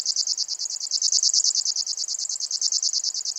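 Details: Grasshopper warbler (Locustella) reeling: a continuous dry, high-pitched trill of evenly spaced pulses, roughly eleven a second, unchanged in pitch and running throughout, with nothing else audible.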